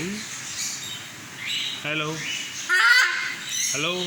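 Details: Talking albino cockatiel in a shop near Kolathur, trained to speak Tamil, producing harsh chattering syllables and short harmonic squawks that mimic speech, over constant background hiss.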